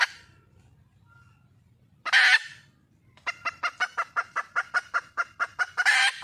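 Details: Wild junglefowl hen calling for a male partner: a loud, harsh squawk, a pause, then a quick even string of clipped clucks ending in another rasping burst.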